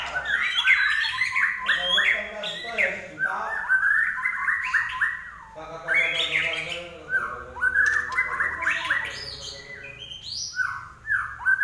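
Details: Common iora singing energetically: a continuous run of rich, harmonic whistled phrases, mostly rising and falling slurs in the mid to high range, with fast warbled notes and a few sharp high accents, no breaks.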